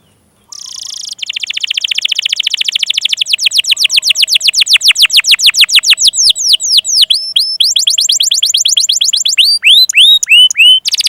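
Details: Canary song played as a lure to stimulate young canaries and birds that have stopped singing; a long run of fast, rolling trills of repeated downslurred notes, speeding into sharp high chips near the end.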